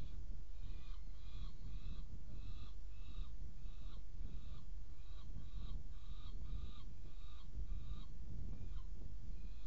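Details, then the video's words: Saker falcon at a nest in Hungary during a feeding on 17 May 2017 at 21:03. Harsh, harmonic calls repeat about twice a second for roughly nine seconds over constant low rumbling noise. "Saker Falcon Hungary 2017 05 17 Feeding 21h03m"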